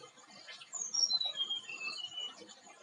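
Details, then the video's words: Flowerpecker (tledekan) song on a lure recording for cage birds: a thin, high whistled phrase of about six clipped notes stepping steadily downward over roughly one and a half seconds, over soft background hiss and faint chirps. "PANCINGan MANJUR BURUNG TLEDEAN SETRES DAN TURUN BIRAHI"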